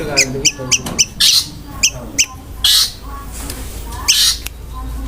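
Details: Long-tailed shrike delivering rough filler phrases and fast tembakan notes: a row of short sharp ticks, then several loud harsh rasping bursts spaced about a second apart, with a low steady rumble behind.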